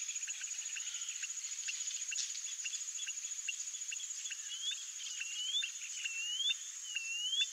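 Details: White-bellied seedeater (Sporophila leucoptera), song.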